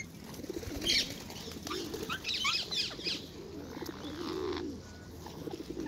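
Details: Wild ringneck parakeets in Hyde Park, London, squabbling over apples at a popular feeding spot; a cluster of sharp, grating squawks in the first seconds, with low pigeon cooing and park noise behind.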